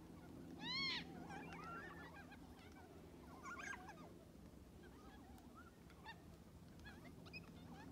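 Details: Black cockatoos in a flock of about 100 feeding on parrot bush seeds near Lake Clifton, Western Australia, on 25 April 2022. Scattered wailing, wavering calls rise from the flock over steady background hiss.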